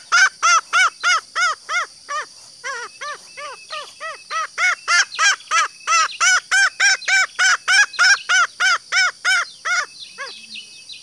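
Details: Green junglefowl hen calling to lure males. A long unbroken series of over thirty arched, nasal notes comes at about three per second, briefly faltering early on, over a steady high hiss.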